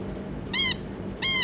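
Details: Zebra finches, two adults with their three juveniles, recorded 25 July 2022: two loud, nasal, trumpet-like calls about 0.7 seconds apart, each short and slightly arched, over a steady low hum.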